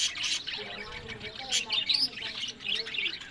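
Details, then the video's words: Pet budgerigars in a breeding colony in Larkana, Sindh, trading bright chirps and a rising whistled squeak over soft, wobbling, murmured warble notes. "Buddies Parrot Voice"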